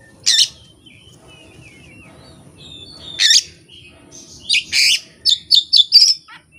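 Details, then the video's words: Kacer (Oriental magpie-robin) pouring out imitated phrases with no tutor recording and no opponent: a harsh rasping note, quiet thin whistles, another rasp, then a rapid run of bright, loud chipping whistles over a low hum. "KACER JAYA SURYA NEKAT BONGKAR ISIAN TANPA MASTERAN DAN TANPA LAWAN"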